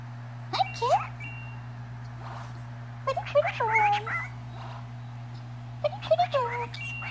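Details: Pet cockatiel vocalising toward a cat indoors: scattered short chirps and warbled, bending whistles in small clusters, separated by quiet gaps, with a steady low hum in the room.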